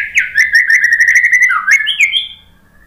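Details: White-rumped shama singing a lure phrase for birds that go quiet after moulting: a loud run of fast, slurred whistles, dipping low near the end before rising to a final high note, then silence.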